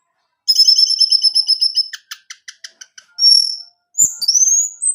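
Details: Orange-headed thrush song played for a kept male: a long steady buzzy trill, then a run of evenly spaced sharp clicking notes, followed by high drawn-out whistles rising at the end.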